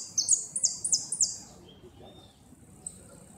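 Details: Goldfinch singing in a 2016 northern-zone competition, the bird placing second, repique style: a quick series of about five high, bright buzzy notes sliding downward, then a faint thin whistle and quiet.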